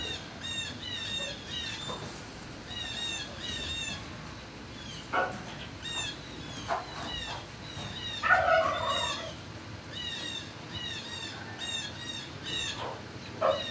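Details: Many turkeys in a barn, recorded on 26 March 2019 shortly after noon, give a steady chorus of thin whistled chirps, with a few louder, lower clucking notes and soft barn background noise.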